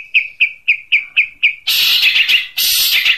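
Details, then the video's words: Long-tailed shrike singing in the unique 'tembakan' style: six sharp, evenly spaced whistled notes at about four per second, then abrupt loud, harsh, buzzy bursts of dense noisy sound. "Masteran Cendet Tembakan Unik"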